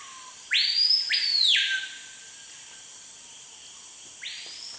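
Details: Screaming piha (Cricrió) singing in the Amazon near Manaus: two loud ringing whistles sweeping sharply upward in quick succession, then a fainter third after a pause, over a steady high insect hiss.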